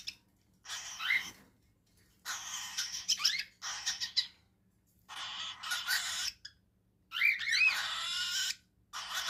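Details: Cockatiel chicks give harsh, raspy begging calls in bursts about a second long while being fed cereal.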